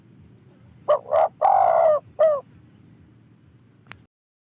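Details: A single phrase from a spotted dove: two quick low coos, a long rolling coo, then a short falling final note, followed by quiet and a faint click.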